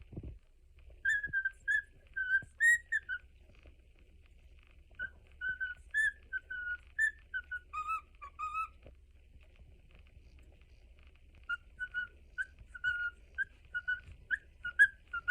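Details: A pet cockatiel whistles the Mickey Mouse March after its owner returns home, in clear, pure notes grouped into short phrases with brief pauses.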